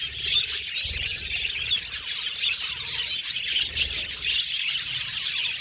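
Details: Budgies chirping together in a dense, continuous flock chatter of high, rapid tweets and short squeaky notes, overlapping without pause, with a few soft low thumps.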